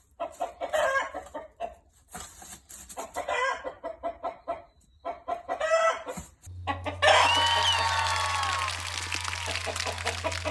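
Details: Domestic chicken, a five-and-a-half-month-old rooster calling beside a young hen that is preparing to lay her first egg. Rough clucking bursts are followed by a loud, drawn-out harmonic cry, with a steady low hum underneath.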